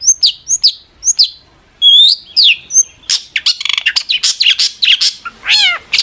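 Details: Long-tailed shrike song, energetic and used to provoke replies from other shrikes: spaced sharp downslurred chirps, then a dense rush of harsh rasps and buzzes ending in a falling, rattling note.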